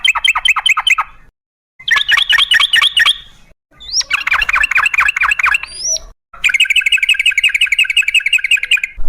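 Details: Trucukan, or sooty-headed bulbul, singing a long rapid 'ropel' sequence meant to draw other bulbuls into song: dense chattering trills in four bursts, with a couple of rising high whistles between them.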